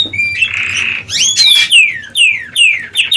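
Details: Canaries busy building and finishing their nest before laying eggs: a buzzy rattling trill followed by a run of clear, quickly descending whistled notes repeated about every half second.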